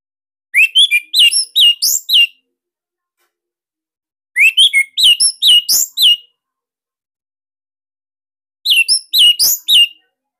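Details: Caged Bali orange-headed thrush singing loud, tight 'tembakan sirtu' phrases meant as master song for other birds: three bursts of quick slurred whistles and chirps, each under two seconds, spaced about four seconds apart.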